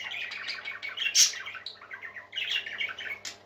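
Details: Happy parakeets warble softly in a jumbled, flowing chatter of small chirps, with one loud squeaky burst near the middle and a quieter pause before the twittering resumes.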